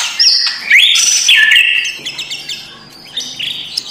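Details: White-rumped shama morning song meant to goad a lazy bird: a loud run of rising slurred whistles and scratchy notes, then softer scattered chips.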